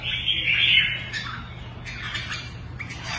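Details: Kept red-whiskered bulbul opening with a loud, bright, squeaky warble, then quieter short chirps and whistled notes spaced out over a faint low hum.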